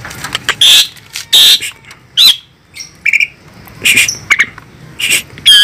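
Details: Asian pied starling, described as fierce, producing harsh squawking bursts interspersed with clear whistled notes and short chattering phrases, loud and irregular, with little other sound.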